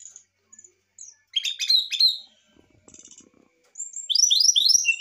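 Brown-chested jungle flycatcher sings varied high, clear whistled phrases, some sliding and twittering, with brief pauses between bursts.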